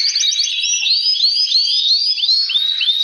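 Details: Rapid series of upward-swept whistled notes from male canaries, about three per second, bright and high, one excellent singer with other males responding, noise said to stimulate breeding.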